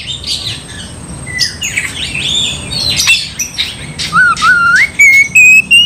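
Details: Oriental magpie-robin singing hard to rile up a rival: varied chattering and scratchy notes at first, then a run of pure whistled notes stepping upward, growing louder, with a faint steady high tone throughout.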